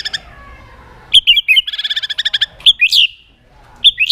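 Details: Lure song of a white-rumped shama, played to prompt other shamas to sing: a short burst of whistles, then a fast even trill of about a dozen pulses, followed by shrill rising notes.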